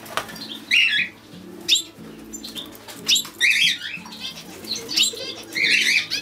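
A European goldfinch sings bright, tinkling twittery bursts, high and liquid, coming roughly every second, over faint steady low tones in the background.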